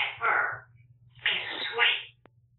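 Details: Pet African grey parrot chattering indoors, captured by a bird camera after a live stream: two hoarse, speech-like phrases about a second apart, separated by a pause filled with steady low electrical hum, ending with a faint click.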